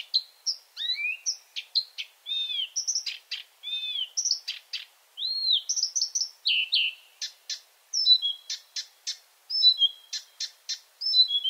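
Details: Nighttime Marsh Warbler song full of imitations: quick sequences of whistled slurs, arched notes and dry clicking chips, the tempo shifting between flowing melodic passages and rapid staccato runs.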